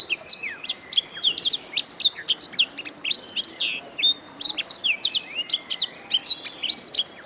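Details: Canary song for training songbirds, a nonstop stream of rapid high chirps, rolled trills and short buzzy notes, loud and busy throughout.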